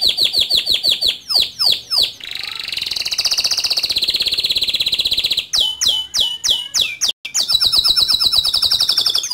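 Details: Singing male canary delivering a varied rolling song: rapid downward-sweeping chirps, a long buzzy sustained trill, more sharp descending notes, then a fast high rattling roll.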